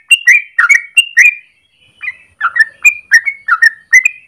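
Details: Yellow-vented bulbul morning song, long ropel used as training master or lure: quick bubbling whistled notes, a brief pause near mid-clip, then the chattering phrases restart.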